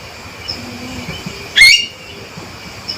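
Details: Single loud, sharp rising whistled call from a male Javan myna, brief and emphatic, set against quiet hum and hiss.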